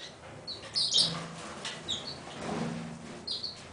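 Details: Pine siskin giving a few short, high, thin chirps in scattered bursts, with soft rustling and low background rumble between notes.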